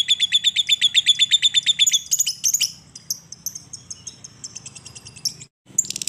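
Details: Lovebird chatter for prompting other lovebirds to sing: two seconds of rapid, even, high pulsed ngekek notes, then looser scattered chirps and squeaks, a brief silence, and a sharp final chirp.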